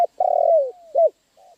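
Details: A spotted dove utters a loud, rough, drawn-out coo that slides down in pitch, followed by a short arched coo and a faint soft final note.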